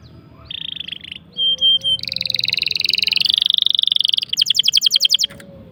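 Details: Canary singing a long-roll tutor phrase for young or silent canaries: short clear whistled tones, then a long fast buzzing trill, ending with a crisp series of evenly spaced high clicks.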